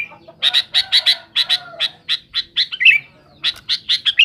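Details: Sooty-headed bulbul giving a rival-challenging song: separate hoarse, buzzy bursts about a third of a second apart, a brief liquid warble midway, then more rasping notes after a short gap, in a quiet background.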